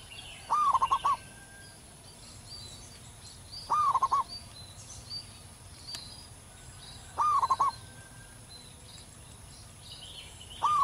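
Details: Wild local zebra dove in full song: loud rolling coo phrases repeated regularly about every three and a half seconds, each a rising note then fast pulses, with faint high chirps of other birds.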